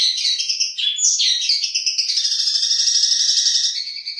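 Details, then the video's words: Long-tailed shrike singing training material for other songbirds: sweeping high whistles and squeaky slurs that run into a continuous buzzy, rapidly pulsed high warble. "Materi Cendet / Long Tailed Shike"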